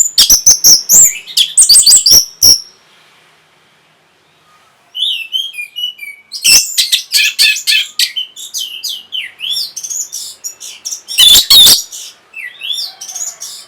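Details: Orange-headed thrush singing to raise breeding condition and draw answering song: rapid loud staccato notes, a brief lull, then a long stream of varied twittering, slurred whistles and sharp accents.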